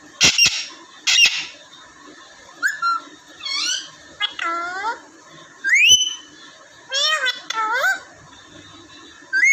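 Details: House parrots in Vehari, Punjab, one small bird sitting before a mirror: sharp noisy bursts, then many bending whistled and squawked phrases, some sliding down, some rising, spaced about a second apart.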